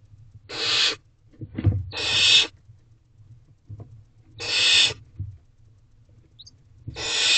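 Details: Young barn owl in its nest box, 8:35 pm on 2 May 2023, working on a rodent: four harsh breathy screeches, each about half a second, repeated every one to two seconds amid rustling and thumps.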